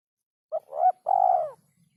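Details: Spotted dove giving a song in a rhythm said to be very hard to find: a brief note, a rising coo, then a long, full, gently falling coo, with quiet surroundings.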